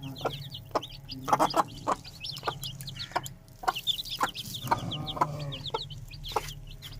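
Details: Young Aseel chicks at home give many shrill falling peeps in quick, irregular runs. Short broadband taps and a few lower clucking notes punctuate them against a constant low background hum.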